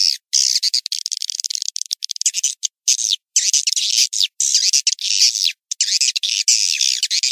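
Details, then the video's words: Swiftlet call sound used to attract swiftlets to a nesting house: dense, high, chattering twitters pouring out in rapid bursts, cut by brief abrupt silences every second or so. "suara panggil walet"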